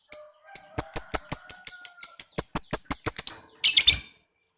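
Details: Lovebird delivering a long trill used to spur other lovebirds to call: about twenty sharp high ticking notes in a steady run, speeding slightly, ending in a harsh rasping burst.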